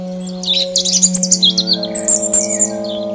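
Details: European robin in a Ukrainian forest pouring out a rapid, high, tinkling song of varied trills and sharp, slurred notes in quick succession, with a soft, sustained musical drone underneath.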